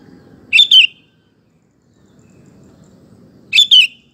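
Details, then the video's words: Sooty-headed bulbul lure song used to coax other males into singing; a clear two-note whistled phrase, rising then falling, given twice about three seconds apart over faint low background hum. "Kutilang Gacor Ampuh untuk Pancingan Maupun Masteran Burung"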